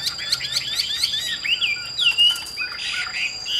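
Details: Captive Chinese hwamei in Vietnam, a fierce-looking bird for fighting or singing, pouring out rapid chirps and twisting whistles that build into a loud rich phrase, with a steady electronic tone behind.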